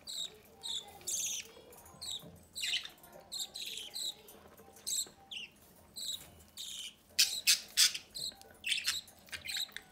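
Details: Budgerigar chick begging while fed at the nest entrance by its parents: rapid, uneven, harsh rasping bursts, growing louder and denser near the end.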